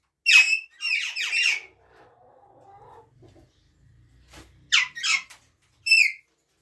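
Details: ['Ringneck parrot screeching in quick harsh bursts, a run of three at the start and three more near the end, with quiet gaps between.']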